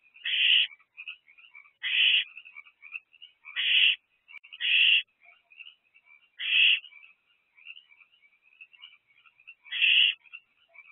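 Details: Owlet of the barn owl, returned to the box after time away, calling for food in the evening; loud rasping hisses repeated at irregular intervals, with continuous high twittering and chittering in between.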